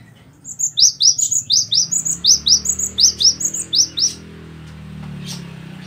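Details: Cinereous tit song for training captive birds to sing more: a high two-note phrase repeated about a dozen times in steady rhythm over three and a half seconds, followed by a low hum.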